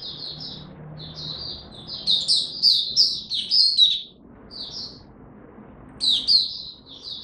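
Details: Captive Oriental white-eye singing scratchy, high-pitched twitters in uneven phrases with a long pause mid-way and a short low hum in the background early on.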